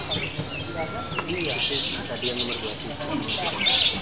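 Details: Female lovebird of the fighter type, delivering sustained locked-in chatter: dense, harsh, buzzy high-pitched bursts from about the second mark onward, swelling again near the end, over a faint low background and some voices.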